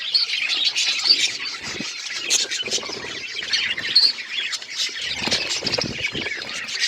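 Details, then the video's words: Flock chatter of budgerigars at their seeds: sharp twittering notes and quick squeaks repeat densely, mixed with faint low handling sounds. "My beautiful budgies eating seeds birds chirping sound"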